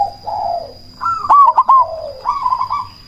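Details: Cemani zebra dove with a big voice, used to provoke rival doves and raise breeding drive: low opening notes, then a loud rising note breaking into a fast trilled, bubbling coo over a faint steady whine.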